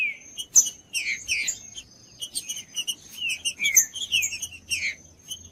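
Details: Green-winged saltator singing to warm up silent birds: short bright whistled notes and clipped phrases in quick succession, with a steady high whine in the background.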